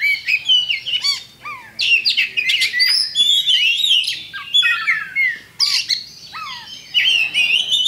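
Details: Champion Oriental magpie-robin delivering a lure song to provoke other birds to fight: loud, continuous mix of whistles, buzzy trills and mimic-like chatter, with clear low descending whistled notes repeated between phrases.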